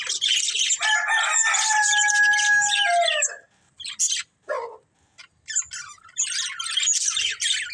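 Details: Budgerigars of a breeding pair warble continuously for three seconds, mixing buzzy chatter with steady whistled tones, then give scattered short chirps and a final rush of fast, scratchy chattering.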